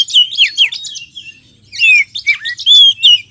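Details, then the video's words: Oriental magpie-robin lure sound to draw wild birds in: quick descending whistles and buzzy chatter, a short quiet gap, then loud falling and level whistled phrases. "SUARA PIKAT BURUNG KACER"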